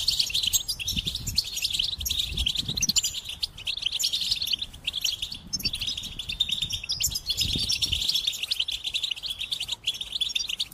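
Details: Continuous goldfinch song: dense, rapid twittering of high tinkling notes runs without pause for about eleven seconds. Faint low rumbles occur now and then.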